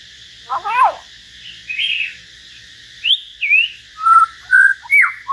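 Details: Common hill myna singing in a solo exchange with a white-rumped shama: a steep descending whistle, then a run of short, clear, rising and falling whistled notes at varied pitches, separated by brief pauses.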